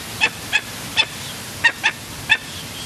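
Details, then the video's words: A 2-week-old Barbary falcon chick gives six short, harsh, high begging chips about half a second apart while being fed by a one-year-old imprinted gyr x peregrine female. "Gyr x peregrine female feeds 2 weeks old barbary falcon"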